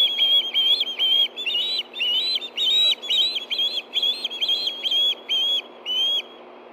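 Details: Two ospreys food calling together at the Hellgate Canyon nest, Montana, 9/9/13 in the evening, when a fish arrives. Shrill whistled notes repeated about twice per second, some slurred and doubled.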